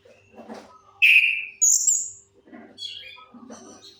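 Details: Orange-headed thrush song used as a lure for silent birds: two loud clear whistles, one mid-pitched and one very high, set between softer varied notes and some scratchy low rustling.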